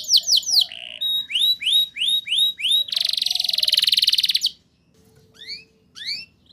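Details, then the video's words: Canary in energetic 'ngerol nembak' song, used to prompt young canaries to sing: quick rising whistles, a pulsing buzzy roll lasting about one and a half seconds, near silence, then a few faint upward notes. "Suara Burung Kenari Gacor Ngerol Nembak! Ampuh Untuk Pancingan Kenari Paud Biar Bunyi"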